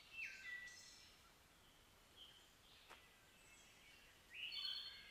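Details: Wood Thrush singing in the field, flute-like song: two clear whistled phrases with slurred, ringing notes, one at the start and one near the end, separated by a quiet gap, over soft background hiss.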